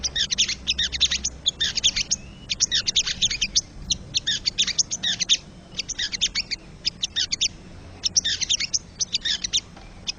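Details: Wild crested jay chattering, recorded to stimulate caged birds. Repeated bursts of rapid, high, scratchy notes, each about half a second long, arriving steadily over low background noise.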